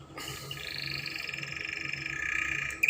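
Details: Spanish Timbrado canary, singing as a tutor for young canaries: a sustained, finely pulsed rolling trill that holds steady and grows slightly louder, ending in a brief sharp chirp.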